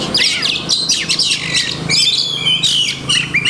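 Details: Kacer (Oriental magpie-robin) with a repertoire of learned masteran phrases, giving rapid high chatters and scratchy notes mixed with clear ringing whistles, near-continuous and loud.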